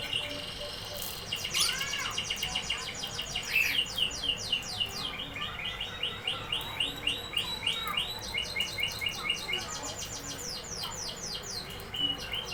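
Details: Canary singing: long rapid trills of repeated high notes, sweeping down and up, with rolling chattering phrases and a few slurred whistles, steady continuous delivery over a faint background hiss.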